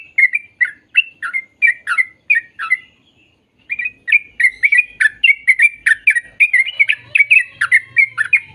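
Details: Sooty-headed bulbul song, used to coax young birds into singing; quick chirping phrases of bubbly notes, a brief pause near three seconds, then a faster denser run of chirps with a faint low hum late on.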